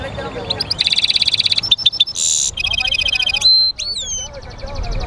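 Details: A European goldfinch mule's song: a long, rapid, even chirping trill, sharp separate notes, a rasping buzz, another trill, then a pure rising whistle and soft background chatter.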